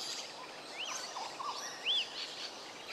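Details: Rainbow bee-eaters near Cairns, Australia, give short, high, arched chirps scattered through the clip, with one louder note near the end, over a steady hiss of outdoor background noise.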